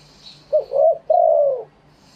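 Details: Live cooing from a spotted dove in true wild-style phrasing: a quick short note, a rounded coo, then a long drawn-out mellow coo that tails off lower, over a low steady hum.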